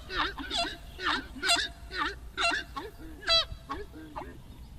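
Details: Horned screamer song: a run of nasal, trumpeting honks about twice per second, some rising and some falling, with one stronger clear note near the end.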